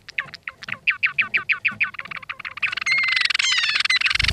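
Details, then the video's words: Java sparrows in a courtship duet dance, followed by mounting and copulation, give a quick run of dry clicking chips, about five per second, then a dense, buzzy trill with thin whistled notes. "Duet dancing of Java sparrows"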